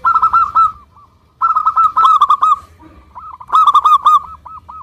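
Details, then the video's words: Local zebra dove lure song for prompting other doves: three bursts of quick, bubbling coo notes separated by short pauses, the last phrase trailing into separate softer coos. "PANCINGAN PERKUTUT LOKAL GACOR UNTUK YANG MACET BUNYI SEMUA IKUT NYAUT"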